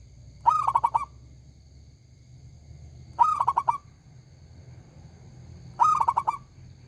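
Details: Local zebra dove, described as a loud, ringing, very vocal singer, giving a short phrase of one rising coo followed by rapid pulsed notes, repeated about every two and a half seconds over a low background hum.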